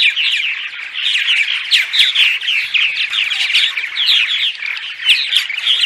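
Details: Chorus of purple martins giving dawn song, meant to attract martins to a nesting site. Rapid, throaty, liquid chirps and warbles tumble over one another without pause, loud and steady throughout.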